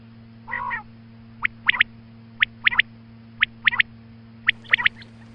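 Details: A female quail calls at morning: one nasal, harmonic note opens, followed by crisp doubled chirps repeated roughly once a second, while a low mains-like hum runs throughout.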